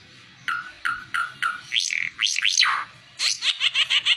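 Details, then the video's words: Oriental white-eye singing, kept as a tutor song for teaching other birds: a few short clipped notes, then loud swept whistles and a fast, bright chattering series of high notes. "Burung ara mata merah cocok buat masteran"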